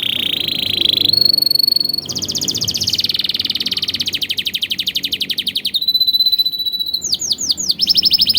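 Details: Young canaries' training song, with richly varied phrasing: a buzzy trill, a long rapid rolling tour, a thin high level whistle, then swooping sweeps.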